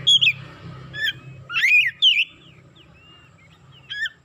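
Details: An Oriental magpie-robin, worked up and showing its isian repertoire, gives scattered loud, sweeping whistles and slurred chirps separated by short pauses, with faint thin whistles and a steady low hum underneath.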